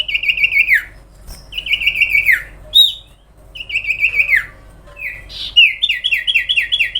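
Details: Sooty-headed bulbul in full, lively song: repeated clear, downward-sliding whistled phrases with short gaps, ending in a fast series of rising-falling chirps.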